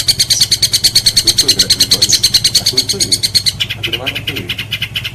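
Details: Long-tailed shrike master song for training contest songbirds: a fast, buzzy high trill of rapidly repeated notes, fading into looser chatter, with faint human voices underneath.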